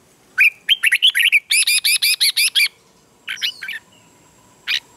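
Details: Red-whiskered bulbul singing in the morning, used to train and stir wild-caught birds into combative song: a run of short rising chirps, then a string of about seven even, bright, ringing notes, a pause and a brief closing phrase.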